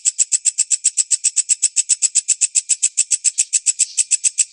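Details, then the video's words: Training recording of a white-breasted woodswallow for lovebirds. Rapid metallic high notes repeated in an even, unbroken rhythm, about seven each second. "SUARA WALANG KECEK"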